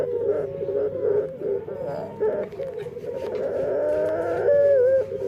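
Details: Dove with a distinctive voice, unlike other doves: a wavering, buzzy run of tonal notes that ends in a clear sustained note with a small downward flick.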